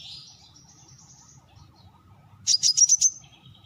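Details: Brown-throated sunbird calling: a thin high wavering note early on, then a quick run of five sharp, high chirps near the end, each dropping slightly in pitch; faint low background hum throughout.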